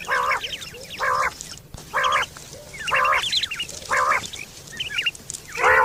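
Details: Quail calling, recorded September 2023, a common call described for hunting and mating: nasal, harmonic bursts repeated about once a second, with thin high chirping notes between them over a steady low hum.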